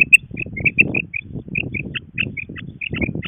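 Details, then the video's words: Female quail associated with quail hunting: a brisk, uneven run of short high chirps, some slightly rising, heard over continuous low rumbling and handling noise. "Madi batair Awaz"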